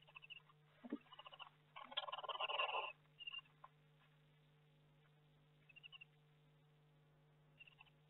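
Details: Barn owl in a nest box during May, with chicks starting to hatch: a rough, broadband screech of about one second, followed by soft chittering notes and shuffling sounds, over a steady background hum.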